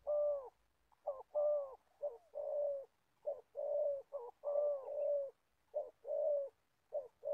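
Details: Gia Lai spotted dove used as an old decoy for catching wild doves, cooing densely: soft short notes and longer mellow coos packed closely, phrase after phrase.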